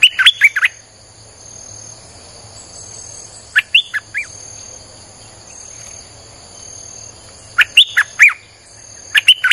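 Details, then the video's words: Streak-eared bulbul song meant to lure wild birds: short bubbly four-note phrases repeated about every four seconds, separated by quiet hissing gaps with a steady high whine. "เสียงนกดอกแตงEp.159จ้าวขุนศึก สับดอกแบบไม่พัก!!ใช้เปิดล่อนกป่า Suara pikat merbah lekir"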